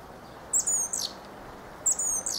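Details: Fieldfare song phrases made of high, thin whistles that slide downward into a scratchy squeak, given twice about one and a half seconds apart, with soft background hiss.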